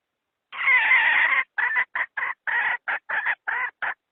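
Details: Hen calling to draw wild chickens toward a trap, recorded for trappers in 2020: one long rasping squawk followed by about nine short, clipped clucks in steady rhythm.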